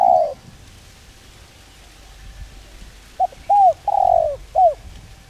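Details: Spotted dove calling to lure and train other doves: a single soft coo, a pause, then a quick phrase of short curved notes with a longer falling coo in the middle, against a faint steady hum.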